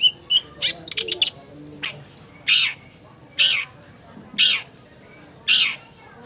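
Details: Caged long-tailed shrike lure: a quick run of sharp chips, then four loud, harsh, buzzy squawks spaced about a second apart.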